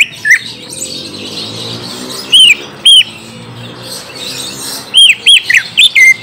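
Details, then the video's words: Orange-spotted bulbul song used to lure a young bird into answering: short clear whistled notes, each sweeping up then down, given singly and in quick runs with pauses between, over faint background hum. "Pancing cucak ijo bakalan / mh langsung nyaut bunyi"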